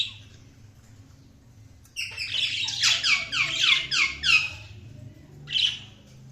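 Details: Budgies calling after two seconds of near quiet, then a rapid run of repeated downward-sweeping chirps, about five a second, with a final short squawky burst; a low hum sits underneath.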